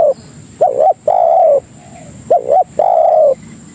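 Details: Spotted dove (tekukur) lure call used to draw in other doves. Two-part cooing phrases: a short wavering note, then a longer steady coo. The pair is given twice over a faint constant high electronic whine.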